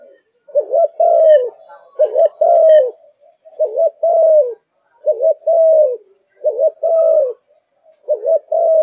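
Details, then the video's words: Kept zebra dove in full singing form, voicing a steady series of mellow rolling coo phrases, each a quick double note then a longer descending coo, repeated roughly every second and a half. "Cu Gáy Malaysia Căng Lửa, Chơi Từ Sáng Tới Tối"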